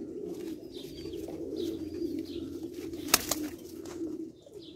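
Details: Continuous low cooing from Tabrizi Agharan pigeons, an Iranian breed, with a sharp sudden clack or wing slap partway through and faint higher notes.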